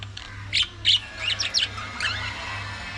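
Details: Pet budgerigars chattering in a quick run of short warbled chirps and squeaks over about one and a half seconds, with a steady low electrical hum underneath.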